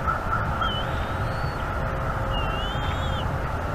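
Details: Bald eagle eaglet begging for food at a North East Florida nest, March 2021 morning. A brief high whistle, then a longer wavering, slightly descending chirp over constant wind and low rumble.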